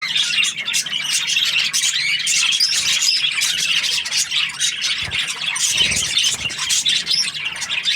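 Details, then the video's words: Happy budgerigar chirping: dense, continuous high warbling chatter with rapid squeaks and clicks overlapping throughout, no pauses. "Happy Budgie chirping sounds"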